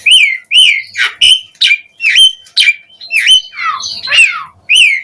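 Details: Asian pied starling singing to provoke replies from other starlings, a series of loud, separate whistled notes arching up and down, each clipped short, about ten in five seconds, with a few harsher squeaks.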